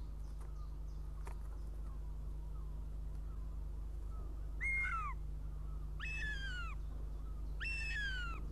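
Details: Young northern goshawk returning to its nest in Riga, Latvia, on the early morning of 23 June 2017 for breakfast; soft clicks and faint notes, then three clear, harmonic, downward-sliding squeals about a second apart over a low hum.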